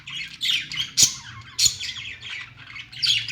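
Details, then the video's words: Pet budgerigars chirping: a busy run of twittering, buzzy warble notes broken by two sharp clicks, with a low background hum. "Budgies singing"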